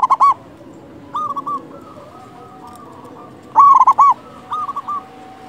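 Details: Zebra dove with a big voice, a local bird used as a lure to excite other doves into song. Loud bursts of rapid coos alternate with quieter short phrases over a steady low background hiss.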